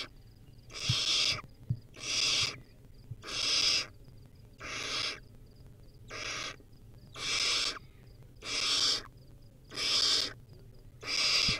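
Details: Repeated rasping screeches, eleven in under twelve seconds, from a wild baby barn owl on a nest camera as it feeds on a rodent; occasional faint knocks.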